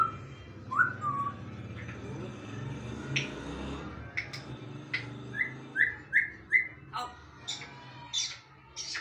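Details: A bonded pair of grey parrots gives clear whistles and bursts of short rising, chirpy whistles, about two a second, with a few clicks and squawks.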